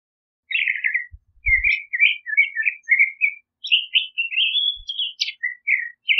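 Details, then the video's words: A California scrub jay sings a steady, chattering sequence of clipped, slightly buzzy notes, strung together almost without pause for about six seconds, with a couple of faint low knocks early on. "California Scrub Jay Song! Call! Sound! Singing!"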